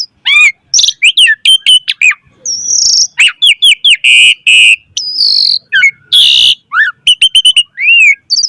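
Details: Varied Asian pied starling song used to teach other starlings: quick chirps and downslurred whistles, a long steady whistle, harsh buzzy blasts around the middle, then rapid repeated whistled notes ending in a rising whistle.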